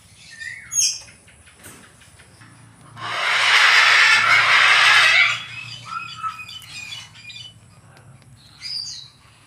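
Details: Macaw letting out one loud, rasping squawk about two seconds long, surrounded by faint chirps and thin whistled notes, with a low hum in the background.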